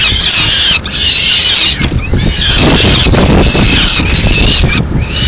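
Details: Peregrine falcon female arriving with leftover pigeon in Madrid on 30 April 2016; strained, wailing call notes sound almost continuously over a loud, low background roar.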